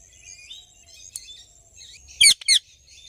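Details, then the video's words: Two sharp, rasping screeches from a happy Indian ringneck parrot close together near the end, after a quiet stretch of thin whistles and chirps from other birds. "Happy Parrot Sounds"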